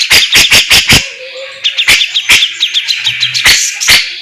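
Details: Captive grey-cheeked bulbul in lively competition-style song, with fast sharp tembakan and besetan bursts: a run of loud, evenly spaced explosive notes, then rapid high chattering twitters and more sharp strokes.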